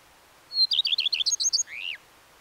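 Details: Single song phrase of a Common redstart: a high thin lead-in, a series of evenly spaced bright double notes, then a buzzy downward-sweeping flourish at the end.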